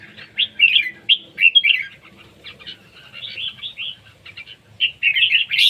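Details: Red-whiskered bulbul singing in a competition, delivering clear, loud whistled phrases with slurred, bubbly notes separated by brief pauses, ending in a bright chattering flourish.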